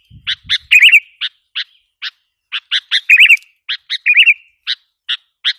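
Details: Lure call of Sooty-headed bulbul for provoking wild birds: sharp repeated chip notes at an irregular pace, broken by short bubbly warbled phrases; a faint low thump near the start.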